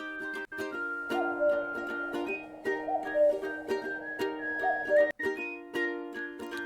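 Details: Strummed ukulele chords and plucked notes indoors in a small room, with no animal sounds.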